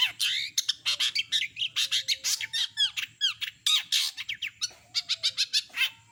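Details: Cendet, or long-tailed shrike, in lively full-repertoire song: dense volleys of sharp chirps, curling slurred whistles and short steady tones, running almost without pause.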